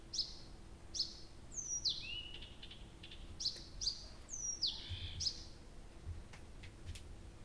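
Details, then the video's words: At Abramtsevo on an early-June night, recorded from 23:00 on 6 June 2021, a nightingale delivers rapid high piping notes and steeply falling whistled sweeps, phrases tumbling one after another with barely a pause. "Соловей поёт всю ночь"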